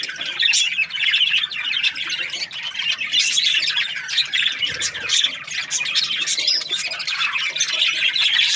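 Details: Many budgerigars in breeding pairs chatter nonstop, mixing sharp squawks with quick twittering chirps at a steady, lively pace.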